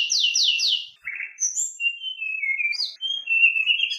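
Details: White-rumped shama singing coarse fill material to excite fellow shamas: three fast downward sweeps, a raspy buzz, then smooth sliding whistles with a high chirp.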